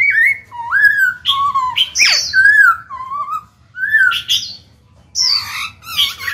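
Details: Kept black-throated laughingthrush singing to stimulate other birds to sing: rich, slurred whistled phrases rising and falling, mixed with harsher squeaky notes, in short bursts with brief pauses.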